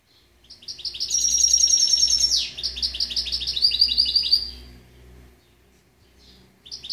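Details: Song of a goldfinch x canary mule hybrid, 2013: high rolling twitters with a sustained trill ending in a falling slur, then more rapid chirps, a pause, and a last burst; low room hum beneath.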